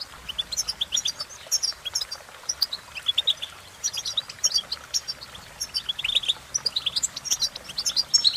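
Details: A European goldfinch twitters steadily, stringing together fast, high tinkling chirps and short trills with hardly a pause across the whole stretch, over faint background noise.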